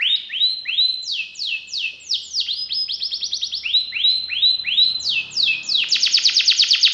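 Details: Singing canary with prized ornate phrasing: bright arched whistled notes repeated in quick runs of four to six, shifting to rapid stuttering trills, then closing on a dense, buzzy high-pitched rattle; no other sounds intrude.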